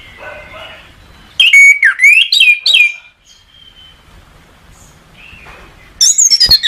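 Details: Orange-headed thrush (anis kembang) masteran song: quiet warbling, then a loud burst of swooping, rising and falling whistled phrases, a pause with a thin held whistle, and a final sharp high rattling phrase.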